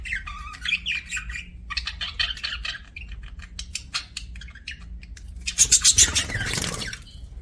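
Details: Aviary budgerigars chattering with raspy chirps and warbles, ending in a loud burst of harsh, hissy squawking near the close.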